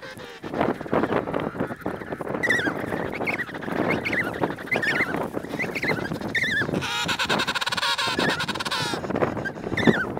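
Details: Emperor penguin on the ice near Snow Hill Island, approaching a quietly sitting observer out of curiosity, gives harsh, honking calls, then a long, warbling, trumpet-like call near the end. Other penguins call throughout over a noisy colony din.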